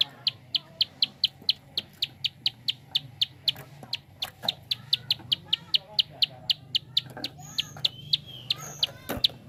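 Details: Rapid prinia clicks, around thirty-five crisp high ticks in a long regular run, briefly broken by a cluster of softer chirps and twittering from other birds midway.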